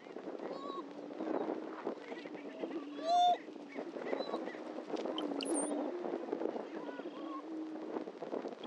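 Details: At a historic lek on Dunn Ranch Prairie, Hatfield, Missouri, a chorus of greater prairie-chickens gives low, hollow, overlapping moaning booms, with sharp whoops and cackles breaking through and one loud clear note.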